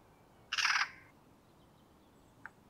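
A Eurasian magpie gives one harsh, rasping, mechanical chatter lasting about a third of a second, followed by a faint click in otherwise quiet surroundings.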